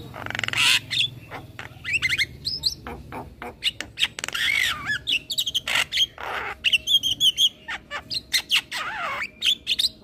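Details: Caged young male Javan myna that sings readily and nods its head, captured as a master track for cage-bird training: a long, busy stream of harsh squawks, sliding whistles and quick chattering notes.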